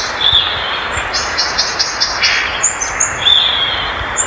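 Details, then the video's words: Violaceous euphonia song: thin, high whistled notes and quick twittering phrases, some sliding, over a steady hiss of background noise. "Gaturamo verdadeiro, Canto oficial."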